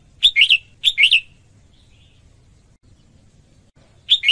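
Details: Female red-whiskered bulbul singing to stimulate males: two quick three-note phrases of bright slurred whistles in the first second, a long quiet pause, then another phrase starting at the end.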